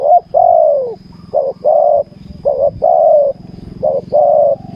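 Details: Spotted dove used in ground decoy trapping, cooing in mellow two-part phrases: short stuttered notes followed by a long, drawn, falling croon, repeated three times, over a steady low hum.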